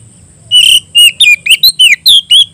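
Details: Calling a rival, an Oriental magpie-robin delivers loud 'ngeplong' song: about nine quick high whistled notes, slurring down and up, rapid and varied, over a soft low rumble.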